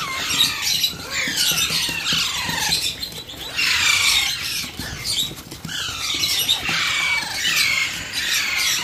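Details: Alexandrine parakeet chick being hand-fed, giving harsh, rasping begging squeals in bursts roughly every two to three seconds, each sweeping downward from high pitch.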